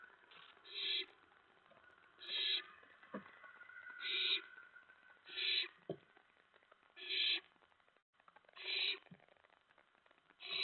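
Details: Owlets pounce in the nest during a night-time food delivery of mice by the adults, September 2017; rasping, breathy bursts repeat roughly every one and a half seconds, with faint knocks and shuffles between them.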